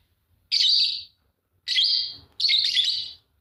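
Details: Fischer's lovebirds, a green pair, giving three loud, rasping high chirps, the last two close together, over faint low hum.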